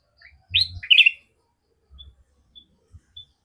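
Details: Sooty-headed bulbul giving two loud, short chirpy notes close together near the start, rising and falling sharply, followed by a few faint high peeps and soft knocking thuds.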